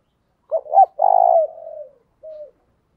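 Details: Decoy spotted dove calling to provoke other doves: two quick hooting notes, then a long purring coo trailing off and sinking in pitch, with a faint short final note after a pause.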